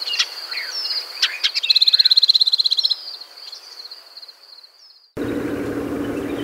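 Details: Wild shining sunbird in natural desert habitat of arid Africa or Arabia: high thin notes, then a rapid buzzy trill for about a second and a half, fading into sliding thin calls before an abrupt change to a low droning background.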